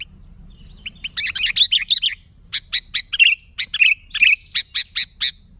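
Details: Sooty-headed bulbul singing actively, in a recording meant to draw in other bulbuls: a dense, bubbling twitter, then a string of evenly spaced, bright, high chirps with slurred endings.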